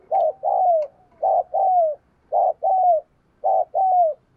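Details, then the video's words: Spotted dove kept as a decoy, cooing vigorously to provoke wild doves: four evenly spaced doubled coos, each a brief hoarse note and a longer falling whistle-like tone, with faint low background rumble. "Chim Cu Mồi Gù Thúc Bổi Nghe Hăng Nên Và Rất Siêng Gáy"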